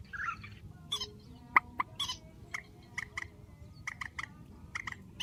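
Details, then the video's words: Trích, the grey-headed swamphen, in a strong trích ghép call: one loud squawk, then a chain of short, rasping, clucking notes repeated at a quick, slightly uneven pace against low background noise. "Tiếng trích TRÍCH GHÉP SỐ 4, tiếng trích mạnh"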